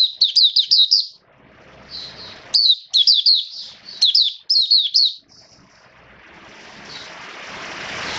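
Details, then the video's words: Oriental white-eye kept in a cage, recorded in wet, rainy weather on 29 September 2022. Bright, rapid twittering bursts of down-slurred notes for about five seconds, then a rising steady hiss. "Mata Puteh Buka Sing Raja"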